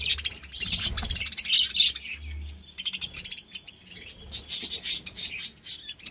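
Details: Pet budgies among summer green leaves: busy high chirps and scratchy warbling in clusters, with rustling and a few soft thumps.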